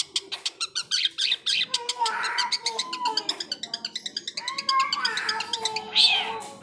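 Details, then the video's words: Long-tailed shrike in lively isian song, full of borrowed sounds: fast rapid-fire ticking repeated several times a second, broken by drawn-out, meow-like slurred notes near the start, middle and end. "burung pentet/cendet gacor isian"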